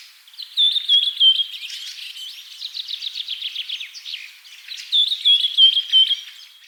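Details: Singing bird with a clean, silent background: short whistled notes lead into a long, rapid, buzzy trill, and a fresh series of bright, evenly repeated whistles follows near the end.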